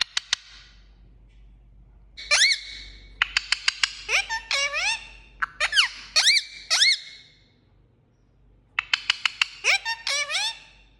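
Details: Indian ringneck parakeet chirping indoors: harsh, squeaky calls with rich harmonics, delivered in quick clusters and bursts of sharp clicking notes, with short gaps between groups and some quiet pauses.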